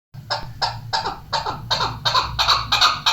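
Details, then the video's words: Female chukar partridge calling; a rapid series of harsh, clucking notes repeated about three times a second, growing slightly louder and fuller, with a low steady hum underneath. "female chakor ki awaz"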